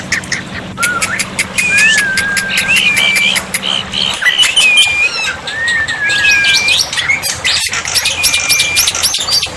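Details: Black-winged myna song used as a tutor to prompt silent birds to answer, paired with water therapy: loud, varied whistled phrases with rising and falling notes, sharp chirps and harsh rattling bursts, a steady low hum under the first four seconds.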